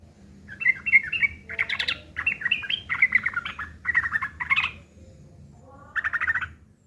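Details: Harsh, rough fighting song of a sooty-headed bulbul, meant as a lure to draw replies from other birds. Scratchy chattering comes in uneven bursts, with a brief pause and then one last gritty burst.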